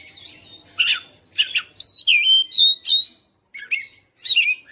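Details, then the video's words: Oriental magpie-robin kept at home, singing persistently in a fighter style. Harsh, scratchy bursts alternate with bright, sliding whistles, and a short silence falls before a final chattering phrase. "KACER RUMAHAN FIGHTER NGOTOT | GACOR | BONGKAR ISIAN"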